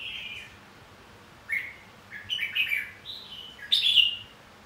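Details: Red-whiskered bulbul fighting song used to rouse singing: a soft opening note, then rising bright chirps and warbles ending in a loud, sharply falling whistled phrase.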